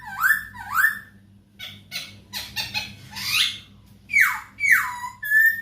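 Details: Captive-bird tutoring recording of a masked laughingthrush: two rising whistled slurs, a cluster of harsh scratchy notes, then loud falling squeals and a level whistle; faint constant hum.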